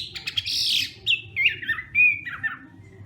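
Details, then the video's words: Hwamei in morning song practice for singing contests. A brief harsh, buzzy burst gives way to a few sliding whistled notes that drop in pitch and trail off over about three seconds. "Hoạ Mi Hót Đấu /hoạ mi hót sáng luyện giọng kich bổi sổ giọng"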